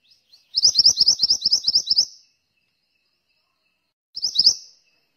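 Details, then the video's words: A mantenan bird sings in two bursts: first a rapid string of about a dozen high, slurred chirps, then after a pause a short phrase of four or five similar notes. "suara burung mantenan gacor"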